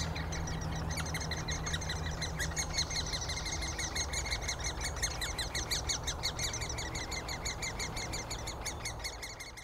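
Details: Great spotted woodpecker feeding its young at Úvaly, Škvorecká obora, on 26 May 2023: the nestlings keep up a rapid, shrill chittering of about three notes a second under a steady low rumble.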